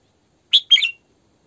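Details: Female Red-whiskered bulbul kept as a decoy, giving a crisp two-part phrase: a bright whistled note, then a rolling, slurred warble, in total silence otherwise.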